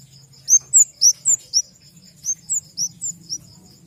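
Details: Flowerpecker, family Dicaeidae, uttering about a dozen sharp, very high slurred chirps in two quick runs separated by a short pause, over a faint steady high-pitched drone.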